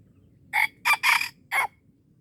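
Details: Four clipped, raspy bursts make up this wild red junglefowl crow, recorded during luring at Darul Kamal in Aceh; the second and third syllables nearly merge, and a soft low hum lies beneath.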